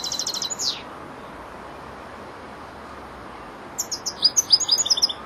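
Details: Young goldfinch of four months learning to finish song phrases: a rapid twitter ending in a falling slur, a long pause, then a fresh burst of bright, jingling high notes.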